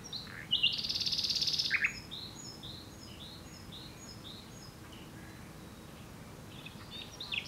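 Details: Common nightingale singing: a loud buzzy rattle, then a run of short clear notes repeated rapidly at high pitch, followed by quieter scattered phrases and a soft whistle near the end.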